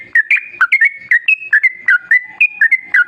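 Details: Lure song of a yellow-vented bulbul for making other bulbuls sing: lively, liquid whistles in quick paired and tripled notes, some held briefly, others dropping sharply, running without pause.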